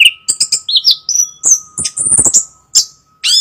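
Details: Chestnut-capped thrush singing a fast, varied run of high whistled and buzzy notes, some sliding upward, ending in a harsh rasping burst, over a faint steady electrical hum.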